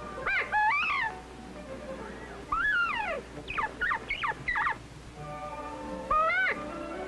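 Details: In spring in the central-southern United States, Northern Bobwhite cocks, irritable and challenging rivals for mates but mostly just talk, trade clear slurred whistles rising then falling in quick bursts over a faint steady hum.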